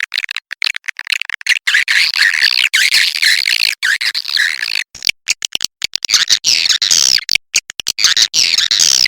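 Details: Swiftlets in a lure recording used to attract the birds: dense, high twittering chirps and squeaky trills, broken by brief sharp gaps, running almost without pause.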